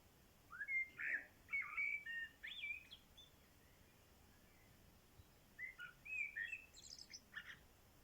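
Common blackbird song: two mellow, fluting warbled phrases about three seconds apart, the second ending in a high, thin squeaky twitter. No other sounds are heard.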